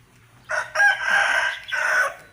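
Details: Burmese-mix gamecock, one of several at a gamecock viewing, gives one hoarse, multi-part crow, about two seconds long, with a strained middle and a falling end, over a low hum.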